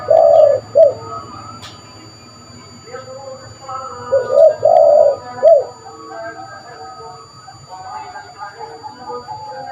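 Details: Spotted dove, a lively calling bird whose call is used to lure other birds. Gives low mellow coos in two grouped phrases, a short burst at the start and a three-note coo near the middle, with faint higher background chatter between.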